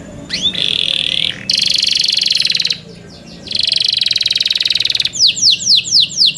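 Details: Young canaries kept in captivity singing loud, high song: rapid buzzy trills held steady around a bright pitch, broken by short pauses, then a run of repeated downward-sweeping whistled notes.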